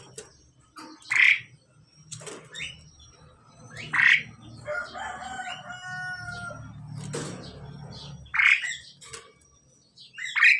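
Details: A Pied Myna male and female during pairing trade loud, rough squawks about every three seconds, with a stretch of steady whistled harmonic tones in between.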